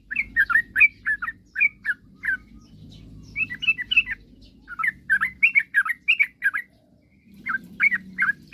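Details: Lure song of a sooty-headed bulbul, meant to goad rivals into answering. Lively clusters of short, warbled chirps come in uneven bursts with brief gaps, over faint low background rumble.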